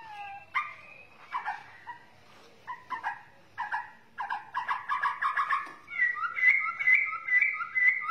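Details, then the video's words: Bornean white-rumped shama giving a varied run of short whistled and harsh notes that grows louder and faster, ending in a series of clear, high, repeated whistles. "murai borneo"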